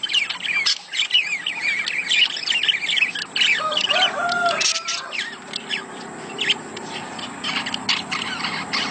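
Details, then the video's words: Budgerigar mating chatter for encouraging breeding: busy overlapping chirps and warbles, a few harsher squawk-like notes midway, then a looser stream of clicks and chirps. "صوت تزاوج العصافير الاسترالي محفز ليهم"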